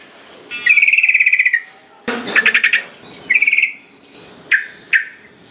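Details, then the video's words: Song of sooty-headed bulbul played to coax other birds into singing: a rapid pulsed trill, a rougher chattering burst, a shorter trill, then two sharp separate notes. "Pancingan Trucukan Biar Gacor .Trucuk Malas Bunyi Jadi Ikut Ikutan Bunyi"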